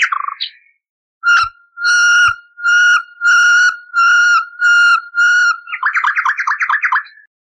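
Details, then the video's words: Common nightingale singing in a noise-cleaned recording thought to date back at least 30 years, used to teach canaries: seven long, pure, steady whistles repeated about every half second, breaking into a fast buzzy trill. "Bülbül Ötümlü Kanarya Eğitimi İçin Bülbül Sesi ve Ötüşü"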